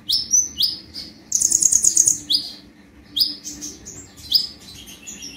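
A sunbird sings very high, sharp upslurred chips in quick bursts, broken by a rapid, glittering trill; a faint low hum lies underneath.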